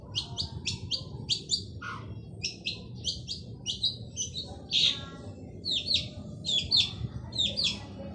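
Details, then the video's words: Male long-tailed shrike singing vigorously: a run of harsh, buzzy, harmonic-rich notes, mostly paired and repeated about once a second, then a few sharper rising notes, over a low rumbling background hum. "Burung cendet jantan gacor dor cocok untuk pancing cendet bisu"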